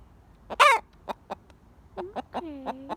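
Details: Buff Orpington pet hen, yellow and golden, giving alarm after a scare: one loud harsh squawk, then short clucks and two drawn-out, falling whiny notes.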